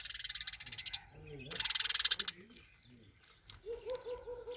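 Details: Sparrow gives two loud bursts of rapid, buzzy chattering pulses, each lasting about a second, with a man talking in Tamil between and after the bursts.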